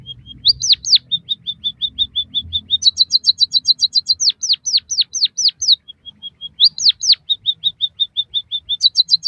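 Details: Lively white-headed munia song for mastering captive birds: thin level piping alternates with bursts of high chips and repeated falling whistled slurs, the pattern cycling several times.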